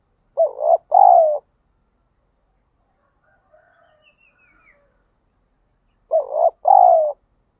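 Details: Spotted dove in daily lure training meant to spur fighting: a low, hoarse two-note coo, short then longer, delivered twice about six seconds apart, with near silence between phrases apart from a faint, distant higher bird call.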